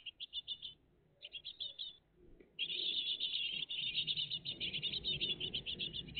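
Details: A great tit family at its nest on a June 2023 morning: rapid trills of high chirps, then a long, loud, almost continuous chorus of buzzy chirping, with low background noise.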